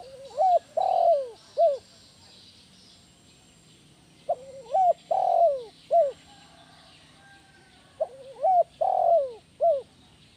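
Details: Spotted dove 'kuk 1' lure call for attracting and training other doves, sounding three times at steady intervals: rapid wavering lead-in notes, a long mellow falling coo, and a crisp short ending note each time.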